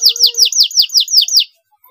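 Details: Brief burst of canary song meant to stimulate a stressed canary: seven loud downslurred whistled notes in quick even succession, about five per second, then silence.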